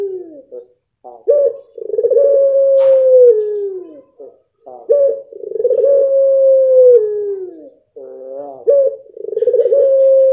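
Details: Mottled blorok pelung dove giving three long crooning phrases, each a brief harmonic-rich lead-in and a clipped accent followed by a sustained, gently falling, wavering coo lasting about two seconds, repeated roughly every three to four seconds.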